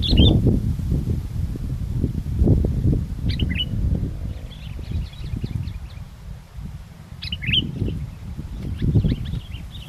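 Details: Sooty-headed bulbul keeps singing in strong wind, recorded for bird luring: brief chirpy clusters of notes at intervals of three to four seconds, half buried under heavy, gusting wind roar.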